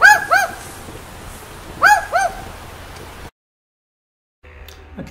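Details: Barking Owl near Darwin in the Northern Territory's Top End: two short pairs of gruff, dog-like barks about two seconds apart, then silence and faint background noise.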